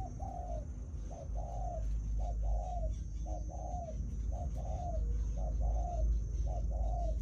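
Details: Decoy spotted dove, wild-caught, coos repeatedly in short-then-long pairs of mellow low notes, about every second, over a strong low rumble and a steady high-pitched whine.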